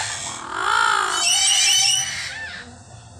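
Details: Many chattering lories at feeding time give loud, harsh, rasping screeches that overlap for about two seconds, then fade into softer, scattered squawks.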